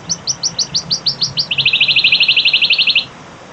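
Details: A wild wood warbler sings about nine high, sliding 'tsip' notes that speed up, then a lower, shivering trill lasting about a second and a half.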